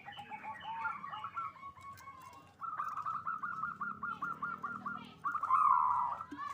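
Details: Local zebra dove in a breeding farm, singing loudly to raise mating drive: a rapid run of short rolling coo notes around mid pitch, repeated quickly, a louder stretch near the end, with faint background noise.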